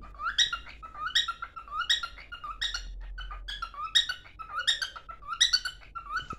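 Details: Domestic cockatiel song while running toward its mate: rising harmonic chirps sliding into a lower whistle, repeated steadily around eighty times a minute, indoors.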